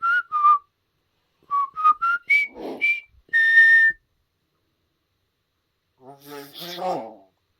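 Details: Pet common hill myna practising whistling the River Kwai March indoors: clear whistled notes stepping up in pitch, then a long steady whistle, a pause, and a harsh buzzy cough-like sound at the end.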